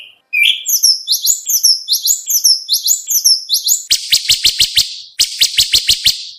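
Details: Contest training song of an oriental magpie-robin (kacer): a quick series of squeaky paired notes, then two bursts of harsh, rapid clicking rattles.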